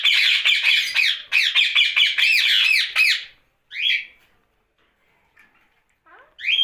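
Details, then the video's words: Rose-ringed parakeet kept as a pet, heard at night: a rapid series of harsh, raspy squawks for about three seconds, then a few isolated short chattering calls after pauses. "Night Talking parrot Mitthu Ringneck"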